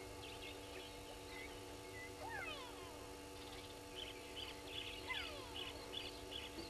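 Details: A brown-hooded kingfisher at Gowrie dam, Djuma Game Reserve, Sabi Sand, South Africa, at 06:47 on 08/24/21 gives short bursts of falling whistled notes over high chirping from other birds and a steady low hum.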